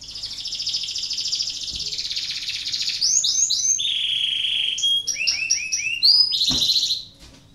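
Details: Canary in breeding condition singing to stimulate other canaries to sing: a long high buzzy trill that shifts into a lively run of varied whistled notes, short rolls and sharp rising chirps.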